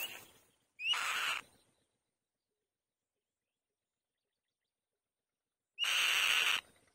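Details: Female white-tailed kite on the nest giving two loud, harsh rasping screams about five seconds apart, each opening with a short upslurred whistle; quiet between calls.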